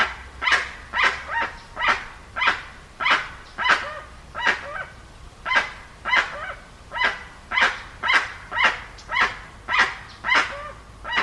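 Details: Dusky-legged guan calling in a long run of coarse, barking honks at a fairly even pace, almost two per second, some notes paired or slightly stuttered, with no other clear sounds.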